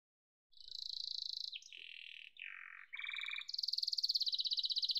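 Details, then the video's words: After a half-second of silence, a yellow domestic canary sings steady whistled trills that step down in pitch, then a lower rolling trill and a loud fast high rattle to finish. "Muhteşem Kanarya Sesi: Sarı Kanarya'nın Efsanevi Ötüşü"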